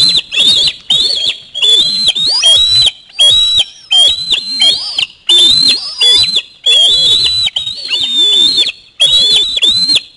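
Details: Young osprey at the nest screaming for fish during back-to-back fish deliveries by a parent; piercing whistled screams in steady, loud bursts of wavering notes with short gaps, repeated through the whole stretch.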